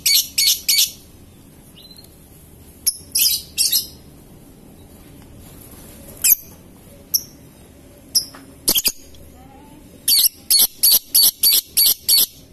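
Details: Lovebird ngetik and ngekek song, scattered harsh squawky notes in small clusters with gaps, ending in a quick series of evenly spaced rasping ticks; a faint thin whistle from another bird is heard briefly.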